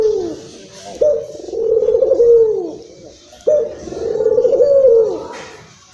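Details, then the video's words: Local Barbary dove, Indonesia, agitated; deep, trilling coos that begin sharply and tail off downward, three in the clip, with quiet breaks between them. Used as a lure call for other doves. "PUTER LOKAL Emosi...!!! silahkan di putar untuk pancingan burung puter anda."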